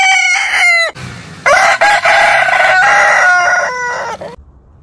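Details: Roosters of heritage chicken breeds crow back to back, one crow ending as another rough, strained crow begins, the long notes sliding slightly downward before fading into a low background rumble.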